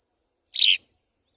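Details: A house sparrow about to feed its young gives a single harsh, bright chirp lasting about a quarter second; a faint steady high whine runs underneath.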